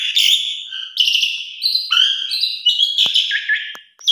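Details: Asian pied starling singing a lure phrase sequence: loud bursts of buzzy, rasping whistles separated by short dips, with a few sharp clicks near the end.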